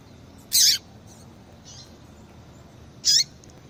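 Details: A female Double-collared Seedeater calls to excite males into singing. Two harsh, high, buzzy chips sound about two and a half seconds apart, with faint softer notes between them against a low hiss.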